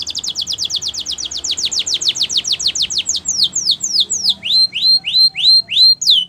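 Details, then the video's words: Canary training song in Timbrado style: a long quick run of descending whistled notes that slows into spaced, rising upslurred whistles, clear and loud over faint low background hum. "Canary Training Champion Song"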